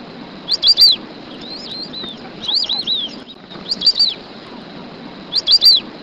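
White-faced whistling ducks give high, clear three-note whistles, repeated in bursts every second or two over a soft background hiss.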